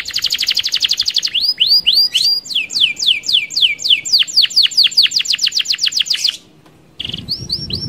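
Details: Canary roll song used as a lure for other canaries: a buzzy high trill gives way to a long, accelerating series of clear downward-sweeping whistles, then a brief pause and a few more notes.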